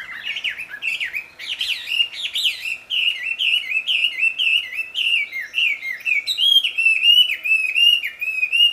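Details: Loud, melodious wild wambi song, a long string of high whistled notes that dip and rise, repeated about every three-quarters of a second, later overlaid with thin high chirps.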